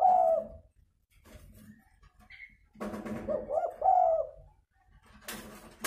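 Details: Spotted dove kept as a lure bird for trapping, described as very vocal; two short, low, hoarse coos, one at the start and one near four seconds, with rustling, knocks and a brief burst of noise at the end.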